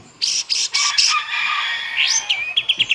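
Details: White-rumped shama in full varied song: loud harsh buzzy bursts followed by a rising slurred whistle and a quick series of short chipping notes.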